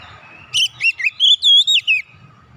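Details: Single short phrase of oriental magpie-robin song, meant to get a silent bird singing again: about seven quick whistles, dipping and rising, ending in a clear drawn-out note.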